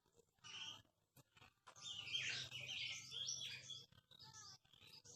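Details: Aceh white-rumped shama (murai batu Aceh), reportedly rare and prized for its melodious voice, 2018: a short whistled note, then a long rich run of tumbling, warbled and trilled high phrases, ending in fainter notes.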